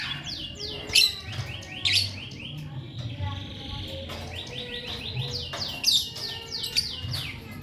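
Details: Lovebird chirping in quick bursts of sharp downward-sweeping notes, punctuated by louder squawks at intervals of about a second, over a low constant hum.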